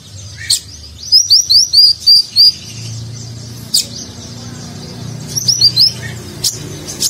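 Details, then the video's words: Konin sunbird singing a rich Nagen-style phrase, a training song for contest birds: a fast series of about seven high, slurred whistles, a pause, then a shorter matching series of the same whistles, with a faint low hum behind. "Konin Gacor Isian Mewah Gaya Nagen"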